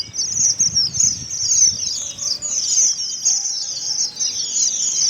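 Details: Strawberry finches in Karachi giving a steady stream of very high, fine chirps and squeaky twitters that overlap without pause, steady background noise beneath.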